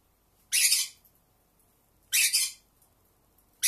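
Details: One pearly conure gives two long, gritty screeching contact calls about one and a half seconds apart. A third call starts at the very end, over a faint background hiss.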